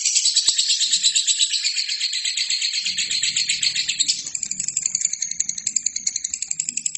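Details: Singing lovebird on a training recording for other birds. Dense, buzzy, high chatter gives way midway to a sharper, rattling series of rapid clicks. A quiet low hum is in the background.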